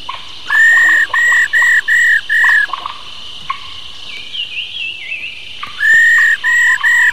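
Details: Wild-caught old female black-throated laughingthrush delivering its 'rò' call meant to stimulate males: two bursts of loud, rasping, clipped notes, five or six per series, separated by a quieter gap with soft twittering and a constant hum.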